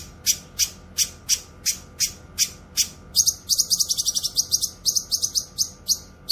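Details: Grey-cheeked bulbul (cucak kinoy), used for training songbirds and luring wild birds: sharp, high chirps repeated steadily at first, then quickening into dense clusters of bright notes in the second half. A faint low hum sits underneath.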